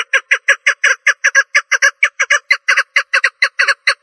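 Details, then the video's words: Rapid series of harsh clucks from a female partridge, notes sometimes doubled, delivered at an uneven pace of roughly five per second against a silent background. "En Güzel Dişi Keklik Sesi 2 | Best Jenny Partridge Voice | Best Female Partridge Voice"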